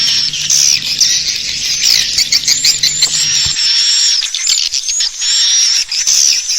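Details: Lure recording of swiftlet calls meant to draw birds in to roost in a bird house: dense, high, twittering and squealing chatter, with a low hum in the first half.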